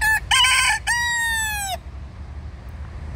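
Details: Wild Dutch roosters roaming freely through littered forest near Alphen aan den Rijn, Netherlands; one crows loudly, two short harsh notes then a long drawn-out falling note lasting about a second, followed by quiet outdoor ambience.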